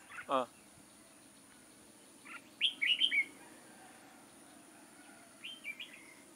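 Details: Red-whiskered bulbul used as a lure for trapping, 6 October 2018: a short sharp descending note, then a loud rapid phrase of bright slurred whistles, followed later by a quieter echoing phrase.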